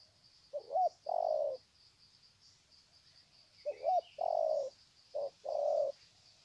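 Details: Spotted doves recorded at Sê San, 21 February 2020, exchanging long 'chậm đất' style coos as a greeting; three deep phrases of a brief bent note followed by a drawn-out mellow coo, roughly every two seconds, with soft distant chirping.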